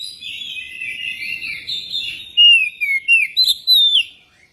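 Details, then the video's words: Song of a magpie-robin used as a lure to get one singing: soft warbling at first, then loud clear whistles that rise and fall in a series of separate phrases, ending abruptly. "pancingan kacer biar cepat gacor dan ngobra"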